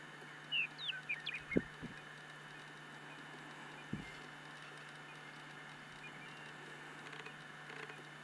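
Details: American avocet during courtship and mating gives a quick burst of five or six sharp, high, clipped notes in the first second and a half, then only a steady low hum and faint background hiss.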